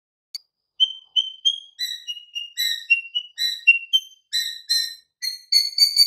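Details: White-rumped shama master recording for stimulating silent birds: a series of pure, piping whistled notes of varying pitch, repeated about four times a second and growing louder toward the end.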